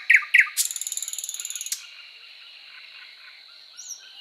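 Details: Thrush Nightingale singing two sharp notes, then a rapid dry rattling trill of about a dozen strokes lasting over a second, followed by near silence with a faint high whistle.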